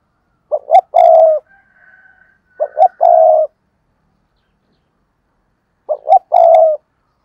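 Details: Spotted dove used as a decoy, giving repeated coo-and-call phrases to attract other doves. Three phrases of two brief rising notes and a long mellow coo, with a faint high whistle after the first.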